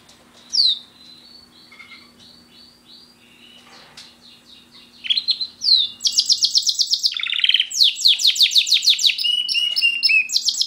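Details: A pet male Border canary sings a long, varied run of bright, high rolls and rapid trills, building from scattered chirps into fast repeated phrases; a second canary, a German Roller, sings in the background over a faint low hum.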